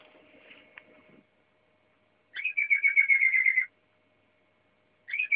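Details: Waterslager canary producing a steady rapid trill after faint low background noise, then a brief start of another trill.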